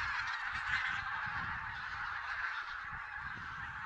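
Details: Mixed wild geese in Silesia, November 2016 count, perhaps Barnacle, White-fronted, Greylag and Bean Geese: a thick babble of nasal honking, rapid and irregular, with single louder calls rising from the chorus.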